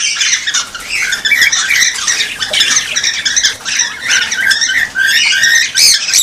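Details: Cockatiel birds calling, played to stimulate pairing and breeding. Continuous harsh squawks overlap with scattered rising whistles, keeping a loud, steady level with a brief dip midway.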